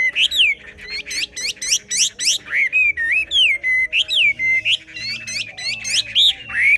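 A Chinese Hwamei sings a loud, rich run of varied whistles: rising and falling slurs and quick repeated notes, several phrases each second, over a faint low hum.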